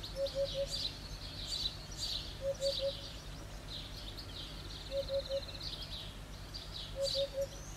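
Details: Repeated song of a Eurasian hoopoe: four triplets of low, muffled hoots spaced about two and a half seconds apart, set against a constant chorus of bright chirping songbirds.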